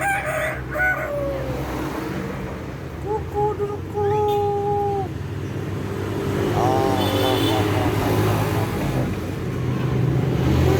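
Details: Common hill myna imitating a rooster's crow: a few drawn-out, harmonic crowing notes held for a second or two, under steady human talking and a low rumble of background noise.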